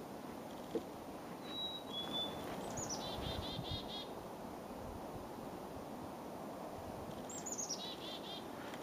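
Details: A Black-capped Chickadee sings a clear, high two-note whistle, the second note lower, then buzzy descending chickadee notes, over steady hiss. It was recorded from a boardwalk over wetlands at Moose Hill Wildlife Sanctuary, Sharon, Massachusetts, on a cool, cloudy, windy morning, 27 December 2011.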